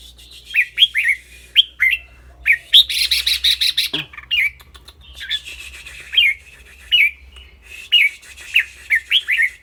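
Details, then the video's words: Caged red-whiskered bulbul singing in a clear voice: short, bright whistled phrases that rise and fall, repeated in quick bursts with brief pauses, plus one louder harsh rasping burst midway. "นกกรงหัวจุก เจ้าขวัญโชค เสียงใส ๆ ทั้งร้องทั้งริกๆสะใจๆครับ"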